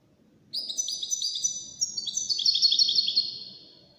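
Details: Wild-caught European goldfinch in a five-bird song competition gives a rapid, rolling series of high twittering notes, many overlapping chirps rising in intensity, then fading out, above a faint low hum.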